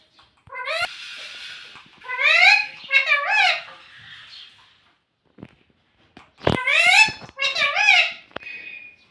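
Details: Talking parrot kept as a pet, known for saying "Mitthu Mitthu" and "Mummy": groups of bright wavering harmonic calls, a noisy hiss between them, a sharp snap at six and a half seconds, then more calls.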